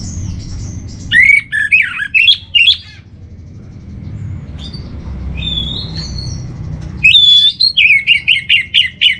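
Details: Training master song of an orange-headed thrush: a burst of loud looping whistles, a quieter stretch with thin drawn notes, then another rapid series of bright rising and falling whistled phrases.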